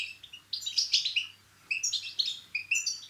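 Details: Energetic twittering from a European goldfinch, batbata and satsata song used to stimulate singing: two long tinkling phrases of rapid bright notes and short whistles, with a brief pause between them.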